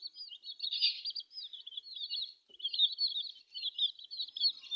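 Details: Young chickens with colourful down give rapid, wavering high-pitched peeps in two long runs separated by a short gap.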